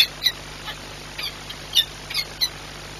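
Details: Peregrine falcon at the Orlen plant in Płock, Poland, 10 March 2022, giving about six brief, high, squeaky chips spaced unevenly over three seconds, over a low steady hum.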